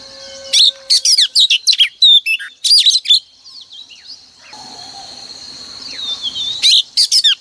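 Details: Female oriental magpie-robin lure song, played each morning to stir males into singing: bursts of sharp, varied whistled and chirping notes, a brief pause, then a soft, steady high whine under faint background noise before the bright phrases return.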